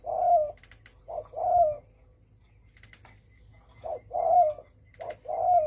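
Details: Spotted dove calling in thổ sấm style to provoke other birds. Short-long coo pairs repeat with an uneven gap in the middle, each long note mellow and gently falling, over a quiet background.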